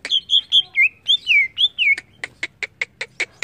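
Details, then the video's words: Greater green leafbird singing agitatedly: a flowing sequence of slurred falling and level whistles, followed by a series of sharp clicks roughly four per second. "AWAS CUCAK IJO ANDA IKUT EMOSI"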